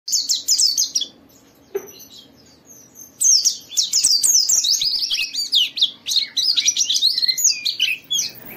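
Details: White-eye in gacor ngalas style, a lure to make other white-eyes sing. Bursts of rapid high twittering, a quiet gap at about two seconds, then dense, continuous, sharp warbled notes to the end.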